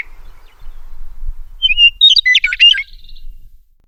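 A meadowlark sings one phrase: a few clear, high whistles, then a quick, jumbled, gurgling run. A faint low rumble sits underneath.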